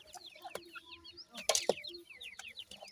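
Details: Several Iranian francolin chicks chirping: thin descending peeps repeated in quick succession, with a burst of scratchy noise and clicks midway.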